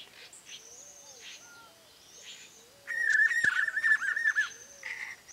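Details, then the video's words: Spot-backed puffbird in Boa Nova, Bahia, Brazil: after quiet background bird whistles, a loud trilling whistle breaks in, quavering quickly at one pitch for about two seconds, followed by softer notes. "Rapazinho-dos-velhos (Nystalus maculatus) Spot-backed Puffbird"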